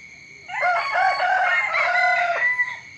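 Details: Loud, sustained morning crow of a rooster, a rich harmonic call of about two seconds that holds steady then falls off at the end, with a faint high drone behind.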